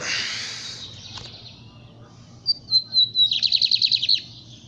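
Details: Lined seedeater singing a capiroto-style song: after a quiet start, a few high clear whistled notes give way to a fast, buzzy, evenly pulsed trill. Low background hum throughout.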